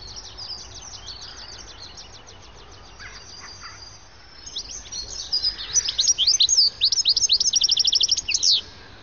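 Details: European goldfinch flock, a charm, keeping up a chorus of liquid tinkling calls while flying about in search of seeds; high thin twittering notes, sparse at first, then a dense burst of rapid repeated chirps in the second half.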